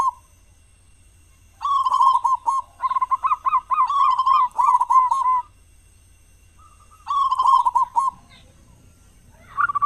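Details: Local zebra dove with a big voice, used in morning and evening as a lure for other doves; after quiet, several dense runs of quick trilled coos over about four seconds, a pause, then another trilled burst.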